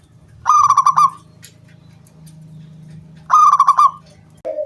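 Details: Zebra dove uttering its crystal 'kung' song as a lure for other doves: two crisp bursts of fast, evenly pulsed bright notes about three seconds apart, with a steady low mechanical hum in the background.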